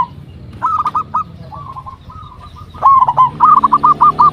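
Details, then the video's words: Local zebra dove singing loudly, used as a lure so other zebra doves answer; short hollow cooing notes at one steady pitch come in broken bursts, then a quick even run of about eight rolling notes closes the phrase, with faint clicks behind. "Perkutut Lokal Gacor RAJA PIKAT Ahlinya Bikin Semua Burung Perkutut Pada Nyaut"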